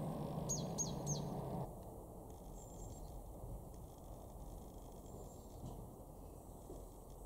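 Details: A Eurasian blue tit (Cyanistes caeruleus) in a garden in Weener, East Frisia, northwestern Germany, in March 2024 gives three thin, very high, downward-slurring notes in quick succession over a steady low rumble.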